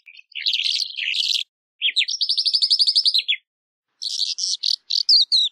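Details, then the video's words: Calandra lark singing: a scratchy, jumbled burst of high notes, then a quick run of about fifteen even, buzzy rising chirps, a pause, and a string of short harsh notes. No other sounds. "Calandra Lark Song! Calandra Lark Call! Singing! - Calandria Europea Canto!"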